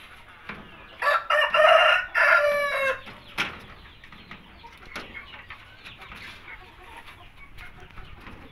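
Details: Cockerel at an Indonesian farm with Shamo, Aseel, Indio and Thai chickens gives one broken, raspy crow of about two seconds, then quiet pen noise with scattered clucks and shuffling.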